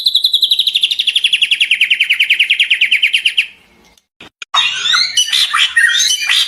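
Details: Captive-bird training recording of white-rumped shama from 2024: a rapid descending buzzy trill fades into a short pause, then a burst of varied high chirps and sharp notes.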